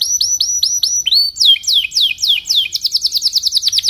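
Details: Belgian canary in the morning, singing a rolling cuit-cuit song used to teach young birds: clear high piping notes, then deeper downward-sweeping whistles, accelerating into a rapid chattering trill.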